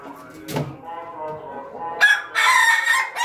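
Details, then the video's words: Ayam Ketawa rooster crowing in the morning: drawn-out harmonic notes, then loud, rough, choppy bursts toward the end. "suara ayam ketawa berkokok pagi hari"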